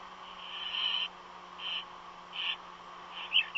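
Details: Unidentified bird calling from a nest, stated not to be an eagle; harsh, hissing, raspy bursts repeated about every 0.8 seconds, five in all, the first longest, over a steady low hum.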